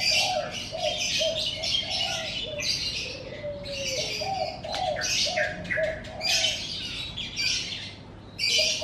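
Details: Birds calling at morning in front of a house, a long run of rapid, high twittering bursts separated by short pauses, layered over repeated soft low coos and a steady faint hum.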